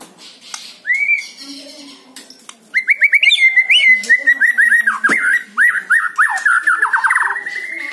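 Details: Song of a white-rumped shama used to lure a caged bird into song: one rising whistle, then a long fast run of sharp clipped notes repeated several times a second.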